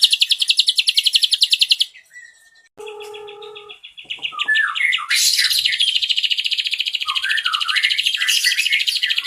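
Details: Ashy drongo singing: a fast high trill breaks off, then come short steady whistled tones stacked in harmonics, a jumble of quick notes and swooping slurs, and finally a renewed rapid trill of high pulsed notes.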